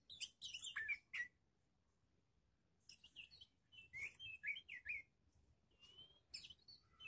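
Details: Young magpie-robin tested alongside other birds: quick clusters of squeaky, warbled whistles and chatter, separated by short silent gaps, with one clear level whistle near the end.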